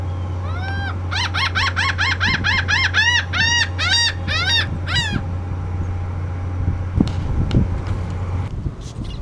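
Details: A laughing gull (Leucophaeus atricilla), recorded 6/19/18, gives a long call of about fourteen nasal, harmonic 'ha' notes, quickening then slowing over four seconds, above a steady low engine hum.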